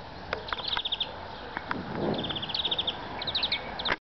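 A European greenfinch sings quick, bright twittering trills, rattling runs of six to eight notes repeated several times, over a soft background hiss.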